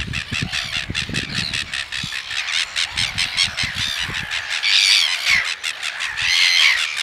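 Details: Red-billed gulls at Pukekura / Taiaroa Head, Otago Peninsula, a pair attempting to mate with the male on the female's back, giving harsh, grating squawks in quick succession, several birds overlapping, rising to louder screeching bursts toward the end.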